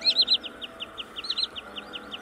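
A Common sandpiper gives a series of high, thin, down-slurred whistled notes, quickly at first, then spaced about every fifth of a second, over a faint background hum.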